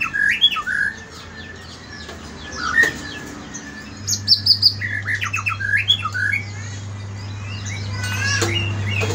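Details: White-rumped shama singing in the morning: bursts of varied loud whistled notes, sharp rising slurs and quick chattering phrases, with a brief high buzzy trill midway, over a steady low hum throughout.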